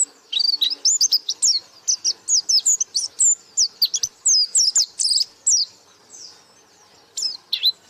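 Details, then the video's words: White-eye singing in the lively 'gacor buka paruh' style: rapid, high, sharp chirps and twisting whistled notes in quick bursts, with a pause before a final short burst. "Burung Pleci Gacor Buka Paruh"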